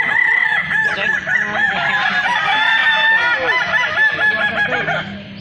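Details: Chorus of Balenggek chickens at a crowing festival in Kota Solok, several roosters crowing over one another in long, wavering, stepped phrases without pause, with a low steady hum beneath.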